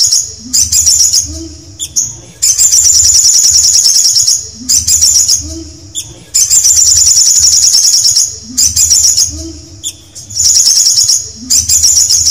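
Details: Canary song: loud, very high, fast rolling trills in long stretches. They are broken by short gaps and a few lower notes, and the pattern repeats about every two seconds over a low background hum.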